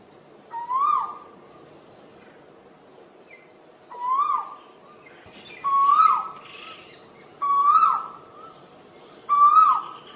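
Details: Asian koel (Eudynamys scolopaceus) gives five loud, rising 'ko-el' calls, each swooping up and holding steady, about every two seconds over a quiet background.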